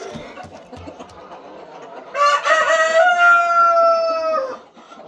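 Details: Amid a farm of super hybrid laying hens with boxes filled with eggs, quiet background clucking gives way to a sudden strident crow that rises, holds flat for two seconds and then tails off.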